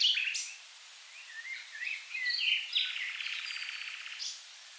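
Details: Common nightingale singing in the river Rhine wetlands, south Germany: varied whistled and chirping phrases with pitch slides, ending in a sustained, fast buzzy trill.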